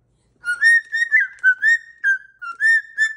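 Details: Cockatoo kept as a pet whistles a cheerful little tune indoors while dancing, giving a string of pure, mid-pitched notes, some rising and some level, roughly two per second, with one slurred note in the middle.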